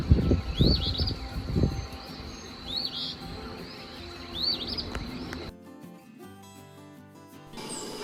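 Eastern Phoebe giving short, raspy two-part "fee-bee" phrases, repeated every second or so, with low rumbling noise early on and music taking over near the end.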